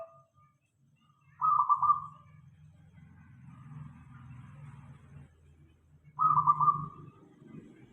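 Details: Local zebra dove singing as a lure for other doves: two bright trilled coo bursts about five seconds apart over a steady low rumble like traffic, with faint murmuring notes between.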